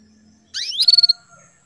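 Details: Female canary uttering a call meant to rouse a male into breeding readiness: a rising, sliding whistle that runs straight into a brief, high, stuttering trill of five or six pulses.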